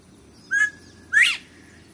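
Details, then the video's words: Northern bobwhite male calling at a water garden in Franklin, North Carolina, whistles a clear two-note "bob-white": short level note, then louder, sharply rising whistle; he gets no reply, possibly an escaped bird; red-winged blackbirds may call behind. "A Bob White quail sings a beautiful song"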